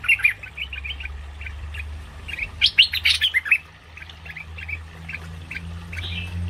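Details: Cream-vented bulbul lure call used for trapping birds: scattered short chirpy notes, some rising, in loose bursts with a denser cluster of sharper calls mid-clip, over a steady low hum.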